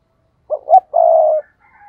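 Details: Decoy spotted dove calling to draw in rivals: one phrase of two short rising notes followed by a long, steady, low coo, a faint whistle trailing after.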